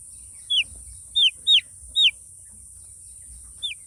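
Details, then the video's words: Five loud, piercing chick peeps, each a short falling whistle, spaced about half a second apart with a pause before the last, over a steady background hiss. "Chicks sound, chicks sound effect, chicks original sound"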